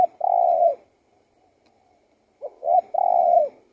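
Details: Spotted dove cooing: the tail of one long hoot, then a pause and a full phrase of a brief note, a short coo and a sustained, gently falling hoot, with quiet background.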